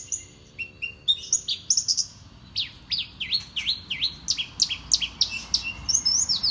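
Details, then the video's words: Mimicking Horsfield's bush lark, champion-tuned, gives a string of high whistles followed by repeated downward-sweeping V-shaped notes in quick succession, then bright chirps. "KICAUAn Burung BRANJANGAN STELAN JUARA!!!"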